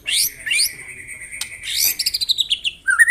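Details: White-rumped shama singing in the morning to rouse rivals: sharp upswept notes and a long steady whistle, then a quick run of descending chattering notes and a final rising whistle.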